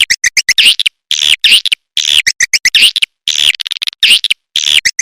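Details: Swiftlet lure sound for drawing edible-nest swiftlets: bursts of sharp, high chirps and rapid clicks grouped into short phrases about every second, separated by clean silences.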